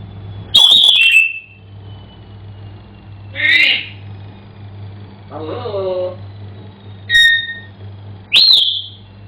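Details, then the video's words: African grey parrot kept as a pet, singing indoors: five separate bursts, mostly sharp high whistles with falling tails, plus one lower buzzy, voice-like note in the middle, spaced by pauses of one to two seconds. "African Grey Parrot Singing"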